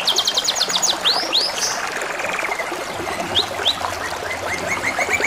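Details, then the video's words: Canary song over a steady trickle of water: a fast run of high repeated notes, then paired upward-curving whistles, a buzzy rolling trill, and a closing series of short rising notes repeated quickly. "TERAPI SUARA KENARI DAN SUARA GEMERICIK AIR | CANARY SINGING"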